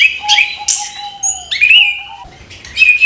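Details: Orange-headed thrush in the morning, performing to encourage young birds: high piercing whistles and quick chirps over a long, steady lower whistle that holds, breaks, then returns slightly rising.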